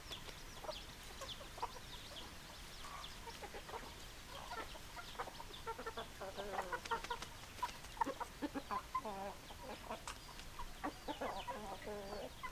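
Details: Hens clucking: short, throaty, harmonic notes in irregular bursts that grow busier and louder midway through, with sharp chirps from other birds and a steady background hiss.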